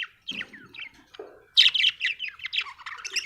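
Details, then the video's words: Australian budgie giving soft squeaky notes, then a lively, continuous warble of fast, varied chirps and buzzy twitters that runs to the end. "budgie chirping sound"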